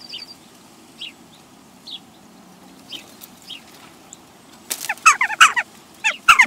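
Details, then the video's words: Western jackdaws in a group at a bird feeder in Recke, Germany, recorded 22 April 2021 by a live feeder camera; sparse short calls early, then a burst of loud harsh chak calls with wing noise near the end. "Der Dohlenclan"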